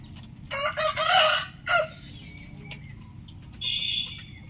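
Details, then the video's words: Rooster crowing in the morning: a loud, harsh, harmonic crow of about one second ending in a short clipped final note, followed by a thin, high, steady whistle-like tone over a low background hum. "rooster crowing compilation"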